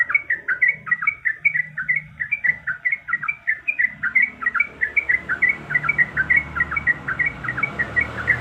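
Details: Calling female yellow-vented bulbul in breeding condition, summoning the male with a continuous stream of quick bubbly, rolling notes, roughly four per second, growing slightly denser toward the end over rumbling low background noise.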